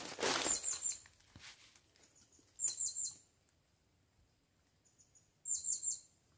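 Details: Blue-crowned hanging parrot on its first outing to the forest, calling a female: an opening noisy rush, then two separate bursts of quick, piercing high chatter with soft faint notes between.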